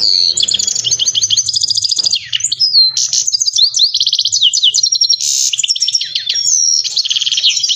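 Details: Saira, the Himalayan goldfinch, in a long continuous song of rapid high twitters, tinkling trills and swept whistles, with barely a pause throughout.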